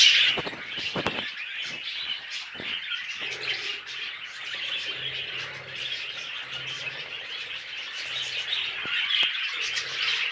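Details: Budgerigars during mating, a steady stream of soft warbled chirps and squeaky notes, with a few sharp clicks near the start.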